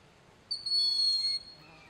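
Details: A Broad-winged Hawk perched on a snag in Sugar Hill State Forest, Watkins Glen, New York, gives one thin, high whistle, sharp at the start, then held and drifting slightly lower for almost a second, while another Broad-winged Hawk and a Red-shouldered Hawk are nearby.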